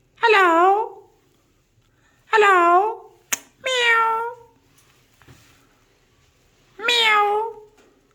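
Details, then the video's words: Alexandrine parakeet mimicking a cat's meow: four loud, drawn-out harmonic calls, each falling then rising, separated by gaps of about one to three seconds, with one sharp click between them. "alexander parrot talking"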